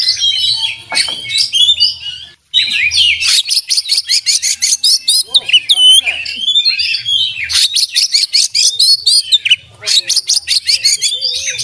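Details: Continuous kacer song from an oriental magpie-robin, full of borrowed fill-in phrases and tutor-song material: dense chattering bursts, looping whistles and quick repeated chips, with one brief silence early on.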